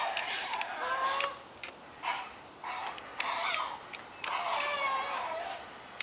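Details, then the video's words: Herons high in a forest treetop, seen flapping large wings, give harsh, raspy screeching squawks and chattering bursts, several overlapping in rapid runs about every second; possibly chicks being fed, or adults fighting over a nest or mate. "Sounds of 3 herons: Feeding a baby heron"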